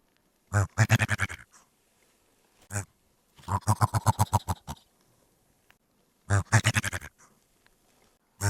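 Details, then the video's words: Dusky Grouse gives deep, rapid grunting pulses in bursts of about eight, with a few single low notes between, over a quiet background. "Dusky Grouse"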